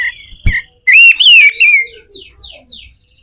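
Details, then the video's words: Pied triller song in a harsh style, meant for training other birds: a sharp click, then a loud wavering whistle sliding downward, followed by faint descending whistled notes. "SUARA KASAR‼️katem gacor dor, masteran burung"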